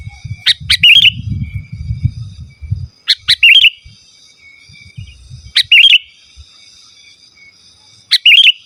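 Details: Sooty-headed bulbul singing, used to attract rival and wild birds in forest and as a tutor: short bubbly whistled phrases of a sharp note then a warbling tail, repeated about every two to three seconds, with low rumbling at the start.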